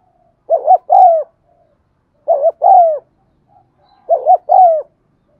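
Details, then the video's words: Spotted dove giving its pleasant coo, played to encourage non-cooing birds: three repeated phrases nearly two seconds apart, each a quick bubbling double note leading into a longer falling coo, otherwise quiet. "tiếng cu thúc gù hay"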